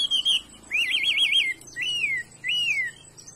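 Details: Chinese hwamei with a good voice: a clear trilled warble that wavers up and down, followed by two sweeping slurred whistles falling in pitch.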